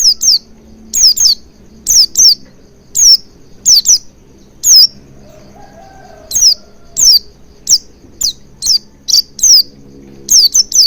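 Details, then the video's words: Oriental white-eye lure track to make it sing: a long run of high, quick downward-slurring chirps, many in doublets, spaced irregularly over about eleven seconds, with low background hum. "Pancingan Burung Pleci Agar Cepat Ngalas & Buka Paruh Maksimal"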